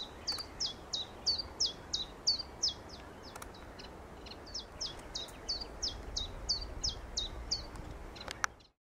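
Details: Common chiffchaff singing at Rutland Water Nature Reserve in May 2021: a steady string of bright, clipped notes, about three a second, alternating between two pitches, over a low rumble of wind or distant traffic.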